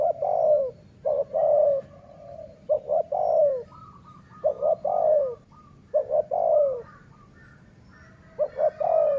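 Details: Sai Mueang (สายเมือง) style dove kept for luring wild doves, cooing steadily: repeated phrases every one to two seconds of clipped short notes leading into a long, resonant rolling coo, with faint higher coos behind.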